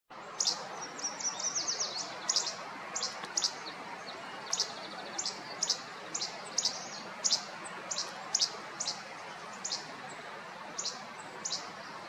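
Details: Least flycatcher singing: sharp, snappy two-part notes repeated roughly every half second to second, with another bird's thin high series of notes early on and steady background hiss.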